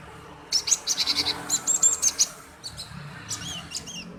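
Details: Male cinereous tit in full chatter, a lure to get other birds singing: a quick run of buzzy high notes repeated almost three per second, followed by sparser slurred whistled chirps.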